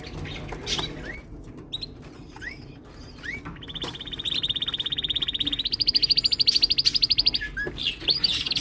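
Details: Male canaries in a chorus, singing to impress: scattered rising chips, then a long rapid trill that steps up in pitch and grows louder, pulsing several times a second.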